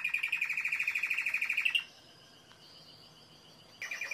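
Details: Timbrado canary producing a fast, very regular rolling trill for almost two seconds, followed by near quiet and a last short burst of song.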